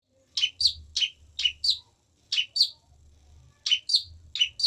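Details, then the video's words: Long-tailed shrike singing: paired sharp chirped notes, each a quick upward-sweeping double note, repeated in short bursts with brief pauses between; faint low hum underneath. "Burung pentet unik.."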